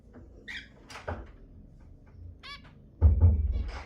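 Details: Zebra finch sounds played to stimulate mating: scattered short nasal harmonic calls, a few spaced about a second apart, then a louder burst of calls over a low thumping noise near the end.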